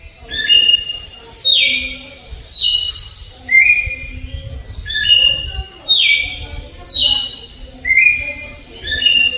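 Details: Slow flute-style song of a red-cowled cardinal, Alagoas variety: a repeated sequence of clear whistled notes, held tones and downward slides, about one per second, the phrase pattern recurring twice, with low rumbling noise beneath.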